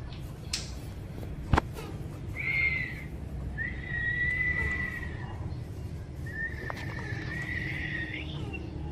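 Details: Ring-necked parakeet, a talking pet parrot, utters three drawn-out, steady, harmonic notes that lengthen in turn, the last ending in a slight upward twist, after a couple of sharp taps, over a low hum.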